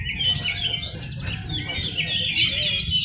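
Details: Shrike song at a bird singing contest: varied scratchy and whistled phrases with rapid mimicking notes, many other birds singing at once and a steady low crowd rumble beneath.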